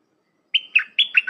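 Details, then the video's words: Bright 'dok' phrase from a red-whiskered bulbul, recorded for teaching hand-reared young: about five notes, a sustained whistle followed by choppy falling notes, ending abruptly. "เสียงนกดอกแตงEp.129เปิดหัดลูกป้อน/ลูกเสอ เพลงแน่นๆ สับดอกล้วนๆ"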